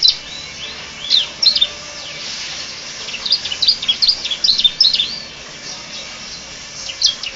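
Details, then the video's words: Canary song imitating the Bar-winged prinia: scattered bright chirps and short downslurred notes, sometimes paired, coming in irregular clusters with gaps between them against a light background hiss. "Suara kicau burung kenari rasa ciblek"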